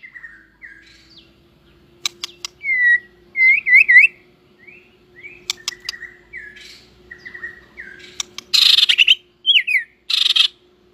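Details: A white-rumped shama just coming into breeding condition, flicking its tail, sings a fighting song of varied, rich whistled phrases that slur up and down, with a few harsh, scratchy bursts and sharp clicks over a faint steady hum.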